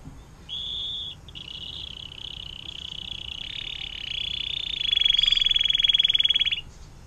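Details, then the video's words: Canary singing the long 'air mancuran' (fountain water) song used as tutor material for other songbirds: a sustained high trill stretched over six seconds, swelling into a loud, rapidly pulsed roll near the end. "KENARI DENGAN LAGU AIR MANCURAN PANJANG"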